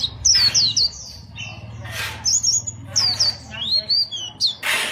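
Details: Contest white-eye, chòe song style: lively high-pitched chirps sweeping downward, some notes stepping up in pitch, with scattered harsh broadband bursts and a faint low hum.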